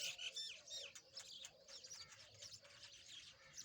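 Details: Rosy-faced lovebirds, also called peach-faced lovebirds, playing together. Their dense chatter of shrill, twittering chirps and short squeaks comes several per second over a faint steady hum.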